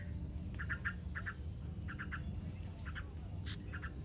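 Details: Yellow-vented bulbul chicks on their last day in the nest, shuffling along its edges as parents keep feeding them before they fly out; short soft chirps in quick doublets and triplets, repeated in small bursts, with a faint sharp click and steady low background hum.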